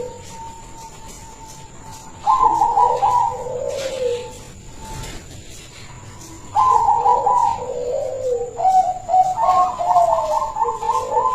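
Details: Kept local silver zebra dove with a big, melodious voice, its song suited to luring other zebra doves: after a quiet tone, two loud trilled cooing phrases, each falling to lower purrs, then a third rapidly pulsed phrase; faint electrical hum throughout.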